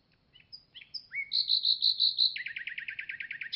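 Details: Common nightingale song that moves from thin high whistles and a down-slurred note into a loud string of pure repeated whistles, then a fast, rattling trill of rapid notes.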